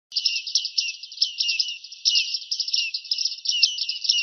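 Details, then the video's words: A bearded reedling (Panurus biarmicus) sings a continuous, scratchy high twitter of quick chirps and short downward-slurred notes, with no other sounds. "Bigotudo (Panurus biarmicus). Canto"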